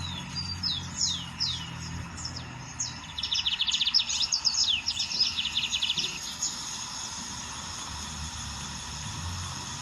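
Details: Wild lined seedeater song opening with several separate downslurred high whistles, then a quick buzzy trill for about three seconds, fading into faint background hiss.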